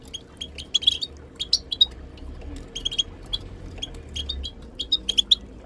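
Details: Female Moroccan goldfinch tabtaba calls, given in a group chorus to spur silent goldfinches into song during taming; bright clipped tweets in quick bursts of two to four, close and loud, with a faint background hum.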